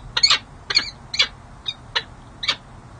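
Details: Peregrine falcons on a nest ledge at San Jose City Hall, California, 13 January 2024, during a female's early courtship display toward her mate; six short, scratchy chips spaced about half a second apart over a quiet hum.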